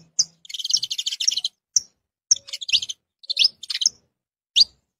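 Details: Saffron finch singing: a long, fast jumble of high, buzzy, stuttered notes, then short bursts of sharp rising chirps and twittered phrases separated by brief pauses.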